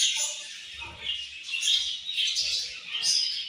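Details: A short burst of budgie chatter: overlapping high, rasping chirps and twitters from several birds, pulsing in loudness every second or so.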